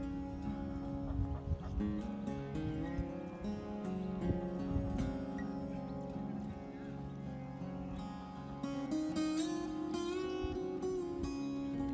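Steady instrumental music with plucked guitar-like notes, and no clear animal calls.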